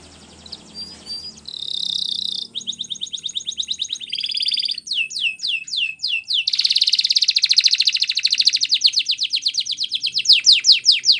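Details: Training song of a Belgian canary. A soft low hum underlies a chain of bright trills, a held buzzy note, swooping whistles and a long dense rolling trill, all high-pitched.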